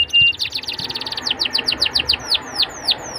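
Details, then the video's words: Canary song used as a lure to get young canaries singing: a fast series of high, sweeping downward whistles, speeding up then slowing, after a brief steady whistle at the start. "PANCINGAN KENARI MUDA AGAR CEPAT BUNYI DAN GACOR CENGKOK ENAK! kenari Manapun akan langsung nyaut"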